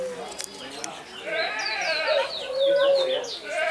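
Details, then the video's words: A very short display by a Barbary dove (possibly domestic Streptopelia risoria) in an aviary at Stadsboerderij De Hout, Alkmaar, Netherlands: a low, drawn-out rolling coo, with high twittering from other small birds throughout. "Displaying Barbary dove"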